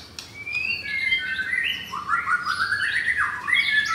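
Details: Captive F4 blorok white-rumped shama from Jakarta, Indonesia, singing coarse-material song: loud whistled phrases slide from high notes down and back up in sweeping, wavering strokes, with a faint room background.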